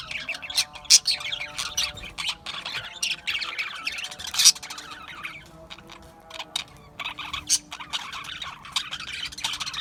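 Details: Australian budgies chirping: dense, scratchy warbling chatter with sharp squawks at irregular moments, several birds calling over each other, over a faint steady humming drone.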